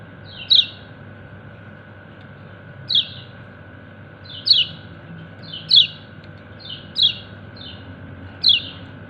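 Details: Calling companions, a kecial kuning white-eye repeats sharp, high, downward-sliding chirps, seven in the clip, some preceded by softer lead-in notes, at uneven intervals over a low hum.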